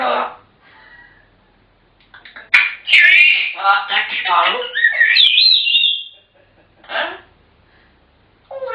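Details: African grey parrots give a long run of chattering, speech-like syllables rising into warbled whistles, followed by short scattered calls after a pause.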